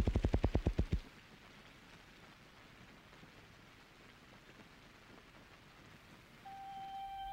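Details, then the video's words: A red-phase male ruffed grouse drums on a mossy log in spring in Alberta's boreal forest to proclaim territory: about nine deep, muffled thumps quickening into a whir over one second, then forest hush and a steady whistled tone. "Ruffed grouse drums, red phase ruffed grouse drumming on log"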